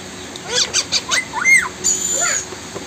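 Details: A blue Indian ringneck parrot, described as talking, gives a quick run of short harmonic chirps and arched squawky notes, then a louder rising-and-falling note, followed by a thin high tone and soft hiss.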